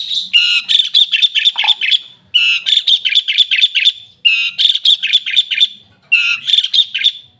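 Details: Asian pied starling giving bursts of harsh, chattering song, each about two seconds of fast repeated scratchy notes, separated by brief pauses.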